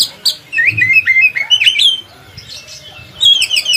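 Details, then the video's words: A kacer, or Oriental magpie-robin, delivers tutor song for other kacers: a string of quick zigzag whistles climbing in pitch, a short pause, then another rapid whistled phrase. "kacer gacor buat masteran kacer"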